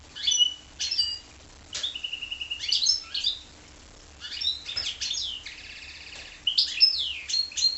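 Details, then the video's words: Stop-start singing by a goldfinch × canary hybrid: sharp chirps, a drawn-out whistle, jumbled twitters and a steady buzzing trill, broken by short pauses. "goldfinch x canary"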